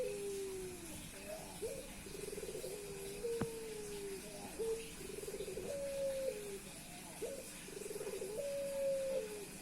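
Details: Persistent courtship cooing by a male Puter Pelung dove toward a female. Rolling trills alternate with long level tones in about four repeated phrases. A single sharp click cuts in near the middle, over faint background noise.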